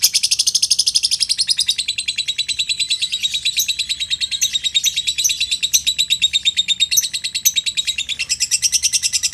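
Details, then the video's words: Lovebird of the Curuk Bentik type, a tough contest bird that has risen in several competitions, singing in the ekek batim style: a long, unbroken, rapid high chatter of sharp, buzzy notes pulsing about three times a second, with no other sounds. "Love Bird Curuk Bentik"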